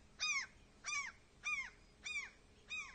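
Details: Crying gull chick in Norway, lost and calling for its mother: five shrill, descending cries, about one every 0.6 seconds, steady and insistent.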